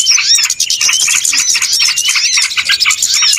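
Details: Trapping lure recording of small birds, a thick, continuous chatter of high, quick chirps and short arched whistles from many callers overlapping without a break.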